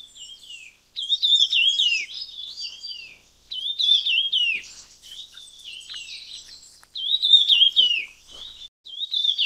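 Red-tailed minla giving busy, high twittering phrases of rapid wavering notes in bursts every two to three seconds, with no other sounds.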